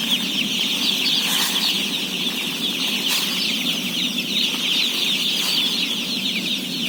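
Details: A huge flock of day-old chicks, about 17,000 at feeding, keeps up a loud unbroken chorus of shrill peeps, over a low hum, with brief sharp knocks at intervals.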